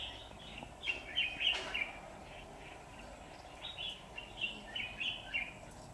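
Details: Red-whiskered bulbul decoy song during a trapping session, 23 September 2019, provoking wild rivals; two clusters of fast chirpy warbled phrases separated by a quiet gap, with a sharp click early on.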